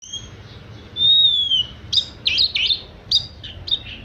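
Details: Oriental magpie-robin (kacer) singing in the 'manja' style: a long clear whistle sliding slightly downward, then a string of bright, warbled, rising and falling notes in quick bursts, over a quiet background.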